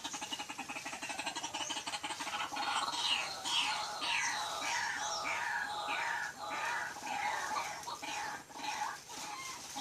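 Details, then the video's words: White-breasted waterhen calling during a daytime lure session around banana trees; a run of harsh, downslurred notes repeated about twice a second through the middle of the recording, over steady background hiss and faint murmuring. "burung ruak ruak"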